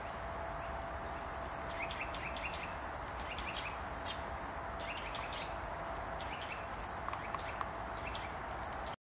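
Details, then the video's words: Tit singing in imitation of a nuthatch: short, bright, rising notes repeated in quick runs of three to five, paused between bursts, over steady low background hum. "Sikorka pozazdrościła kowalikowi"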